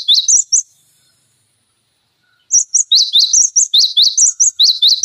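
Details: Cinereous tit singing without pause on a bait recording used to coach other songbirds: a brief trio of high notes, a pause, then a sustained stream of sharp, fast-repeated whistled chirps.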